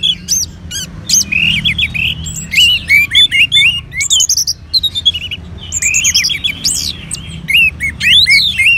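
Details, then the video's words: Orange-headed thrush, a kept bird from northern Bali, trained by playing colony bird song, sings varied quick phrases of sharp rising and falling whistles, repeated in short bursts with very brief gaps. "Merangsang ANIS MERAH Agar Mau Berbunyi"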